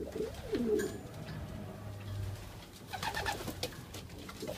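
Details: A racing pigeon at a loft in Oradea on 29 March 2015, where the birds have chicks 1–2 days old, gives a low, throaty, rolling coo, followed by soft shuffling and tapping noises.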